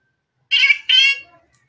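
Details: Indian Ringneck parrot, a pet bird dancing and talking indoors, utters two short harmonic, voice-like syllables in quick succession, bright and nasal, then falls quiet.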